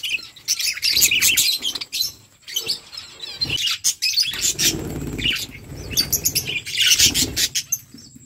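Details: Flock of budgerigars chirping while eating: dense, high, warbling chatter with sharp squeaks, broken by brief quiet gaps and broadband clicks and rustles, probably wing flaps or feeding noise.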